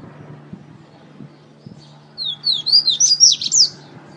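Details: Coleiro, double-collared seedeater, from Natal, RN, giving one quick pateta-style phrase near the end: a tumbling string of bright, swooping high notes after a stretch of faint low hum.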